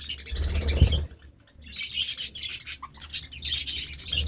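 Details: Budgerigars enjoying seeds and vegetables chatter in a steady high twittering stream of warbles and chirps, with a thump near the start and soft scraping sounds.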